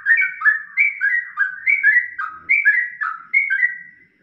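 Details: Yellow-vented bulbul in ropelan style for masteran: a continuous chattering stream of short, slurred, bubbling whistles, each phrase dipping then rising, delivered rapidly and evenly for four seconds without background noise.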